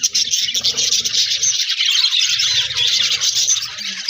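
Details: Many budgies in an aviary twittering together, a dense high chorus of chirps and squeaky warbles, with a brief dip at the start and one short clearer squeak near the end.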